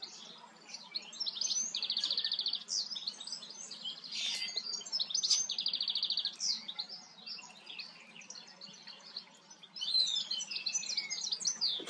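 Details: Singing common starling preening itself in the Eifel, Germany; long run of mimicry-like medley with buzzy rattling phrases, sharp clicks, high whistles and a falling whistled slur, near-continuous chatter at about three notes per second.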